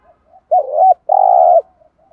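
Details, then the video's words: Spotted dove cooing as a decoy to stir other doves: a faint soft note, then a bent double note and a long steady buzzy coo, ending in quiet soft notes. "tieng chim cu mồi kích bổi rất nhanh nổi gù, cu cườm gáy gọi bổi nghe nhanh gáy"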